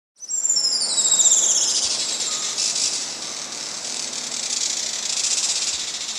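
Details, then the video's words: Juan Fernandez Firecrown, critically endangered hummingbird found only on Isla Robinson Crusoe, Chile, giving a very high, thin call: a quick falling squeal, then dense, buzzy chatter of rapid notes, about four a second. "it is the call of a critically endangered hummingbird a call unlike that of any other on Earth"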